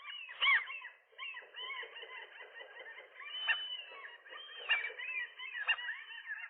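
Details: Several gulls calling at once during a morning squabble over a nest, a pair against a lone gull. A tangled, continuous chorus of overlapping nasal cries, with a few louder rising yelps standing out.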